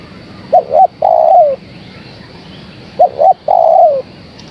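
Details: A female spotted dove calls out to a male with two full phrases. Each is a pair of short, rounded coos and then a sustained coo that sinks at its end, repeated roughly every two and a half seconds over a low hum.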